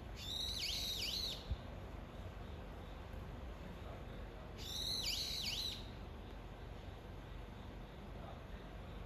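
Brown-eared bulbul giving two loud, shrill, wavering squeals about four seconds apart, each under a second long, over a steady low background rumble.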